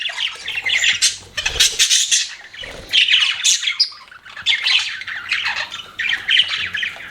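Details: Pet budgerigars chirping: dense, scratchy chatter of warbles and squawks in bursts with short pauses, several birds overlapping, bright and high-pitched throughout.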